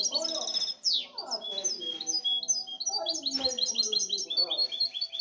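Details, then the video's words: Song of a European goldfinch hybrid: dense, rapid high twitters and short trills, a sweeping descending note near the start, then continuous chattering phrases, with low warbling sounds underneath. "Mi mixto de jilguero"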